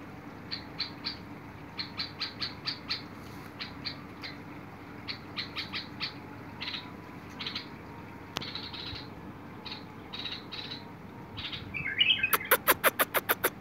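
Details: Bulbul, recorded 21 August 2022, giving quick clusters of short chirps in uneven bursts, then a brief warbled phrase followed by a rapid train of sharp clicks at the end, with a faint constant hum behind.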